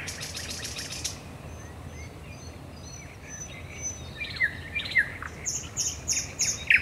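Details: Thrush nightingale singing at night at the Raszyn Ponds, Poland, 10 May 2021: an opening rattle, a long pause with faint thin whistles, then sharp descending notes and bright high clicks building toward the end.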